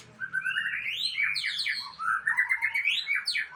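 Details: Aceh white-rumped shama pouring out its isian song repertoire: continuous, loud, varied whistled phrases with rising slurs, quick trills and sharp upward sweeps, over a faint low hum.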